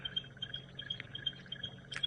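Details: Stierling's wren-warbler at sunrise, March 4, 2018, Djuma Game Reserve, Sabi Sand, South Africa, calling as it heats up: thin, high, evenly repeated piping notes about three per second over a low engine-like hum.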